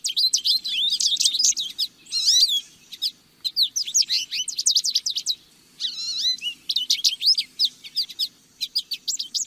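A lesser goldfinch sings a long, rambling jumble of high twittering notes, rapid chips and buzzy trills, broken by a few slurred descending whistles.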